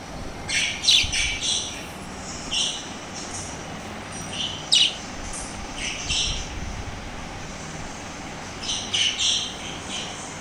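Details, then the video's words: Lovebirds, made very active and energetic by hearing lovebird sounds, give sharp, shrill chirps and squawks in irregular bursts, several per second at times, over a low steady background hum. "Look ! How they Reacted on LOVE Birds❤️ Sounds | Became so super active and Energetic"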